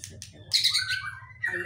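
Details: White-rumped shama delivering a mimicked kapas tembak phrase: a loud harsh chattering burst falling into clear descending whistles, then a rising note at the end, with a low hum throughout.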